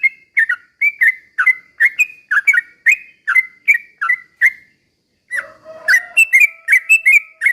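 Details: Sooty-headed bulbul song meant to make other bulbuls sing: rapid bubbly whistled notes repeating steadily, a half-second gap, then the phrases resume over a faint lower drawn-out tone.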